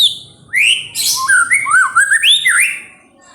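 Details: White-rumped shama song used as a lure to provoke other birds into singing: a loud, clear run of varied whistled phrases sweeping up and down, with bright rising slurs and quick falling notes over a quiet background.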